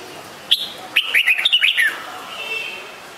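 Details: Red-whiskered bulbul: one clear chirp followed by a rapid, rollicking sequence of about eight whistled notes, then a fading echo.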